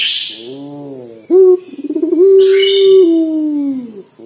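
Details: Local puter dove, described as a prolific caller with a voice like crying. After a brief noise, a short pulsed note leads into a long, steady, slightly falling coo. A sharp hiss-like burst cuts through midway.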